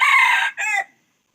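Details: Junglefowl crow, end portion only: a long harsh buzzy note breaking into a shorter falling final syllable, then silence.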